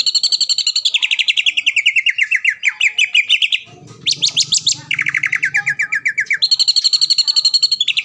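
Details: Greater green leafbird kept in a cage, a champion at events in Palembang, delivers a dense stream of fast repeated notes, about four per second, shifting between pitch levels, with a short low rumble in the middle.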